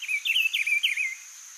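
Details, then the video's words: A wild Rufous-browed Peppershrike (Cyclarhis gujanensis), free in nature, sings a rich, warbled phrase of four quick slurred notes, each dipping and rising, over a steady high insect hum. "CANTO do PITIGUARI livre na natureza"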